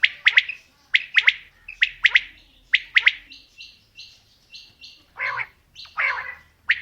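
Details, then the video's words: Quail calling, male and female mixed: crisp triple-note phrases repeated roughly every second, then softer overlapping chirps and two lower, rougher, noisier bursts near the end. "Female Batair Calling | Male Batair Sounds | Mix Calling| Batair Ki Awaz | Batair Ki lambi Awazay|"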